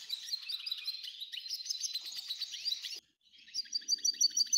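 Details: F1 hybrid goldfinch song: a dense, scratchy run of high chirps and twitters that breaks off briefly, then resumes with clear, ringing repeated notes.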